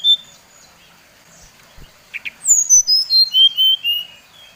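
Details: Brown-chested jungle flycatcher song meant to provoke others of its kind: after a quiet gap with soft clicks, a run of pure whistled notes falls stepwise in pitch.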